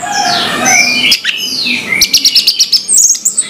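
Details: Orange-headed thrush singing in the morning, a clear 'plong' style song of varied slurred whistles, several falling notes, then a rapid run of short high notes, with sharp clicking knocks between phrases.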